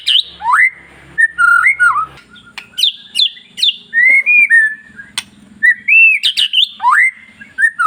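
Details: Long-tailed white-rumped shama singing, used to provoke other shamas: varied loud whistled phrases, upslurred and looping notes in quick bursts, with a faint low hum underneath early on.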